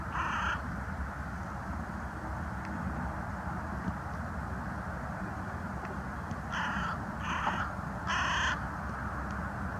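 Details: Carrion crow on a wooden post, recorded 22 January 2020, croaking repeatedly: one harsh caw at the start, then three quick hoarse caws near the end, over steady low rumbling background noise.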